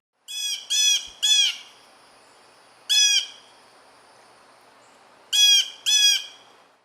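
Blue Jay giving harsh, nasal jeer calls, six in all: a quick run of three, a single, then a pair, over a quiet background.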